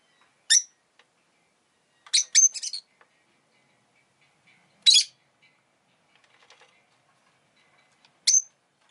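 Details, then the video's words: Pet rosy-faced lovebird calling in shrill, scratchy chirps, one single, then a rapid burst of three, another single and a last one, spaced irregularly over quiet background. "Lovebird Chirping Sounds"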